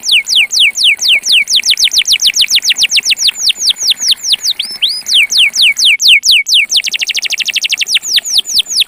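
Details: Belgian canary in pure campainha song: steady series of loud falling whistled sweeps, a couple of rising looped notes, a brief gap, then a very fast even trill and more descending whistles.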